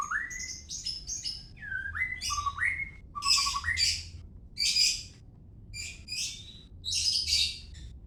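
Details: White-rumped shama from Medan giving a varied song of clear whistles, some rising and stepped, mixed with harsh high bursts repeated about every second, over a faint low hum.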